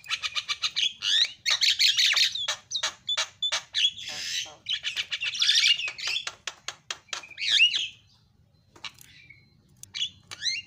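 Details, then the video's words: Rapid Javan myna song of isian fill-in notes, recorded as masteran material: a dense run of sharp clicks, harsh buzzy squawks and twisting whistles, then a few sparse chirps after a lull. "KICAUAN JALAK SUPER MANTAP"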